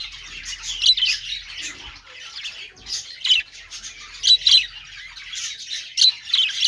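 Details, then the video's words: Budgerigars, described as happy, chirping: dense, buzzy, high warbled chatter with sharp squawky bursts rising and falling in loudness every half second or so, several notes overlapping, with no other clear sounds. "parakeet chirping sounds |Australian parrot singing | budgie sounds"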